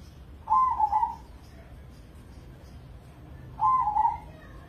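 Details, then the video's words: Crossing-type zebra dove, a prize-winning contest bird, repeating its rolling coo phrase twice, each about 0.8 seconds with a trilled, bubbling middle, separated by three seconds of quiet. "Pancingan Pekutut Crossing Gacor Dorr"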